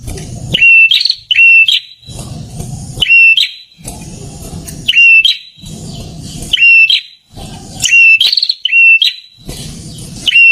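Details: Prinia delivering loud whistled phrases, often paired, each a steady high tone ending with a rising flourish, spaced irregularly among stretches of low rumbling background noise.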